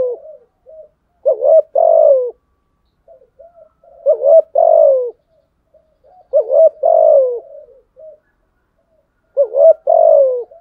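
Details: Spotted dove giving a challenging fighting coo: soft low introductory notes, then a short hooked coo and a longer loud coo with a falling tail, repeated about every three seconds in a quiet setting.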